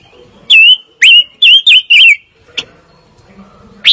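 Fire-tailed myzornis giving five loud, clear whistled notes in quick succession, each with a rising or wavering inflection. A quiet pause and a faint click follow.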